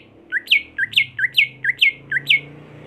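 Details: Home-kept greater green leafbird, a contest bird being trained, repeating a two-part phrase: a low note followed by a higher bright whistle, about six times in quick succession over a faint low hum.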